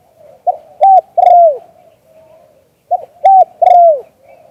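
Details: Spotted dove cooing in the "liu tan" style, live recording: two three-part phrases about two and a half seconds apart, each a brief note, a level hoot and a long falling coo, with faint soft cooing between.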